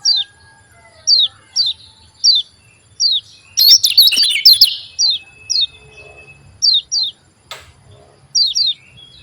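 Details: Javan white-eye 'ciak' calls used to trigger other white-eyes to sing: evenly spaced, sharp descending chirps, often in pairs, about every second, broken midway by a short loud burst of fast twittering.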